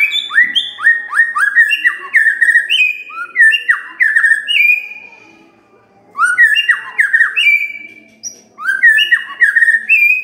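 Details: White-rumped shama song played in the morning as a lure to get quiet birds singing: loud clear whistled notes sliding downward, delivered in quick phrases, with a brief silent pause near the middle before whistling resumes.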